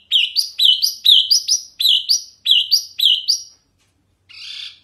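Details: Mini wambi tutor recording: loud, clear, high chirping phrases in quick succession, each note sweeping upward.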